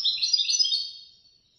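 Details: Third-ranked competition goldfinch from a Casablanca bird association contest giving one brief, bright twittering phrase of high rippling notes that fades out within about a second.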